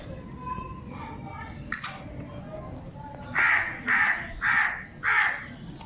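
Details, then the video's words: Black francolin (kala teetar) of the Sheedi Gangas line, described as mastail, calling: four loud, harsh, rasping notes about half a second apart after a quieter stretch of faint background bird chatter. "Mastail Kala Teetar ki Awaz Beautiful Black Francolin Calling"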